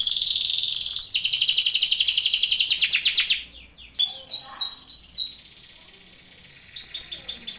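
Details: Belgian canary training song for contest: loud high buzzy trill for three seconds, a pause, then spaced chirping phrases and a final burst of sharp repeated notes.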